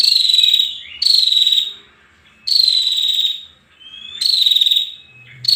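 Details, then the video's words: Female bar-winged prinia giving loud, buzzy, slightly descending notes, each about half a second long, with short rising slurs between them and brief pauses in between. "suara burung prenjak betina"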